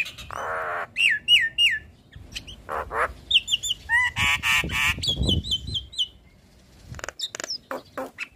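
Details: Black-winged starling in full, persistent song with head nodding: rasping squawks alternate with repeated hooked whistles, a rough buzzy burst, and scattered high chips.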